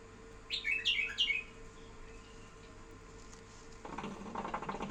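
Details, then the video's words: Tame pet bulbul opening with three quick, bright warbled phrases, then quiet, followed by broad rustling or handling noise toward the end. "احلا صوت بلبل اليف"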